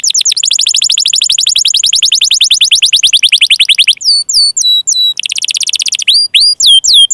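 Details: Canary song intended to make sluggish or young canaries sing: a long rapid rolling trill, then sparse hooked whistles, another fast trill and more looping whistled notes.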